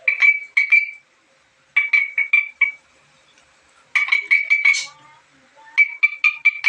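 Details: Black-capped lory making a strange call: clusters of short, sharp ringing notes, each group of four or five repeated quickly, separated by brief pauses.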